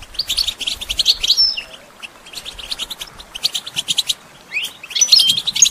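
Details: European goldfinch song for training songbirds: fast bursts of twittering, tinkling notes in clusters separated by short pauses, with sharp whistled accents near the beginning and end.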